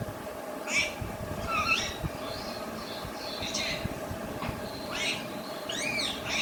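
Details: Alexandrine parakeet talking in Urdu/Hindi, a pet kept indoors: a run of chattering, speech-like squawks and short whistled rising notes over a steady low hum.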